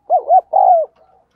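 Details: Decoy spotted dove calling keenly to lure wild doves: a crisp two-part wavering coo, then a drawn-out, slightly falling note, loud and close in a quiet setting.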